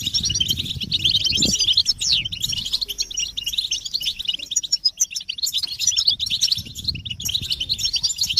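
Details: Male-stimulating chatter of European goldfinches: lively high twitters and fast trills come in overlapping bursts with brief dips in between, plus a low thump early on and a faint low hum.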